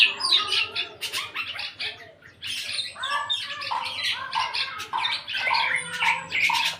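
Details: Eight-month-old black-naped oriole beginning to sing fully: a dense, chattering run of harsh, squawky notes and short whistled slurs, mostly high-pitched, delivered almost without pause over several seconds.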